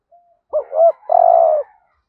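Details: Single hạp bổi style lure phrase from a spotted dove used to attract wild doves: a faint short lead note, two quick swooping hoots, then a sustained rough low coo.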